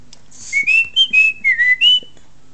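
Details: Talking African grey parrot kept as a pet, producing a quick run of six pure whistled notes, each short and slightly rising or falling, delivered evenly within about a second and a half, with faint indoor hum underneath.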